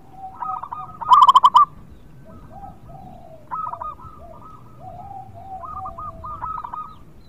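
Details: Vigorous local zebra dove, meant to lure reluctant birds into song: a short loud burst of fast, staccato coo notes near the start, followed by softer cooing phrases from several other doves.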